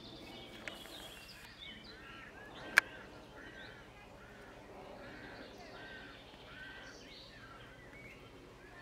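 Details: At a White stork nest where chicks are being fed, a string of brief, mewing calls repeats over a noisy background, interrupted by a couple of sharp clicks.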